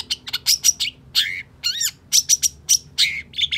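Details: Long-tailed shrike's emotional song for rousing a stalled bird: harsh buzzy bursts mixed with sharp whistles and one wavering, warbled phrase, delivered in uneven quick groups over a low background hum.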